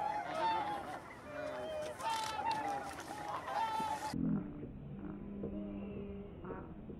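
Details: Taiga bean goose flock at Kabukuri-numa marsh, Japan, 14 December 2019, giving overlapping nasal honks about every second; the later part turns muffled, with a low steady hum and faint voices.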